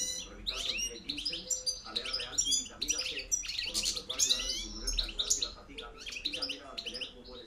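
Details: European goldfinch delivering a campero-style reclamo, 2013-2014: a dense, fast stream of high twittering notes, sharp chips and short trills, well over two notes a second, over a low steady hum.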